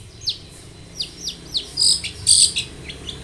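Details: Long-tailed shrike singing varied phrases as a lure to make other shrikes sing: a few thin falling notes spaced apart, broken by two loud high buzzy bursts, then softer slurred notes.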